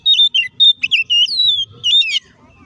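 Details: Kacer (oriental magpie-robin) lure song to provoke an aggressive reply; a quick volley of warbled, twisting whistles, then one long descending whistle and a final buzzy flourish.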